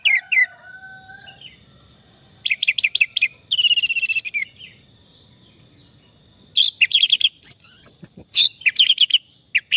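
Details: Orange-headed thrush, in a recording meant to restore song in stressed birds: scattered bursts of rapid, buzzy trills and clear whistled notes, broken by pauses, with a steady faint background hum.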